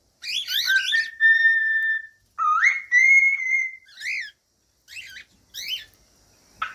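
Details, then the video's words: Cockatiel whistled singing: a wavering chirp run leads into two long steady whistles, followed by a few short sharp chirps and near silence at the end. "CANTOS DE CALOPSITA"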